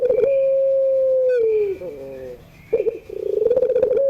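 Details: Puter pelung dove in the evening, holding one long steady coo that sags downward, a short quiet gap, then rough, wavering notes rising back into a level coo.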